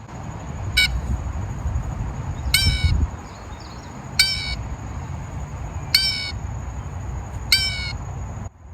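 A Blue Jay gives five harsh, raspy jay calls, one about every one and a half to two seconds, over a steady high whine and low rumble.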